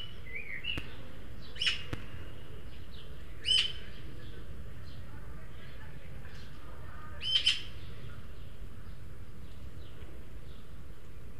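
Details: Juvenile Eurasian magpies, three at a garden feeder in El Retiro, Madrid, two begging food from a more developed third; three harsh, broadband rasping calls spaced a few seconds apart over steady low background hum.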